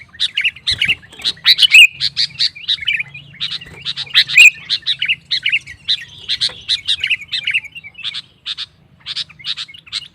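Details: Sooty-headed bulbul singing vigorously to provoke other males: clipped, chattering notes repeated in quick succession throughout, with a faint low drone behind.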